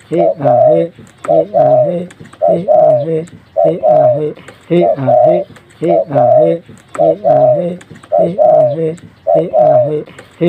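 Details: Tame, very vocal spotted dove cooing indoors in a small room: deep, hollow, harmonic coos in rhythmic phrases, about ten phrases over ten seconds, each a short note then a longer dipping coo.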